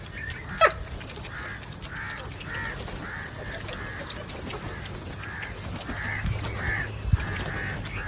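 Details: Crow calling: a long series of harsh, hoarse caws, each short and rasping, repeated about twice a second with uneven spacing over steady background hiss and one sharp click early on.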